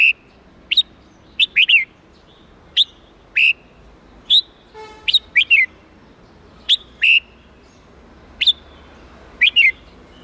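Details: Training song of a red-whiskered bulbul in the 8-9-10 note wild style for young birds to copy: brief, clear whistled phrases of one to three slurred notes, separated by pauses of roughly one to one and a half seconds.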